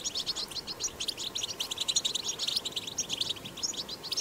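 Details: Wild European goldfinch recorded in the wild, singing the powerful batbata song style: a rapid, continuous stream of high, tinkling twitters and chirps with short buzzy notes, steady throughout with no other clear sounds.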